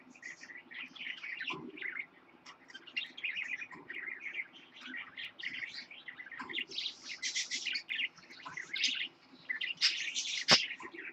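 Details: A young Lutino parakeet, hatched 10/26/15, chatters almost nonstop with rapid, scratchy high chirps and warbled notes. A single sharp click sounds near the end.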